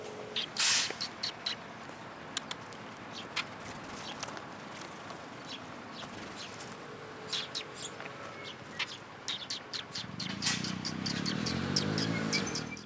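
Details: Sparrows coming for insect food for their nestlings at a shrine, 28 May 2022: a run of sharp, short chirps scattered through the recording over steady background noise, with a low rumble near the end.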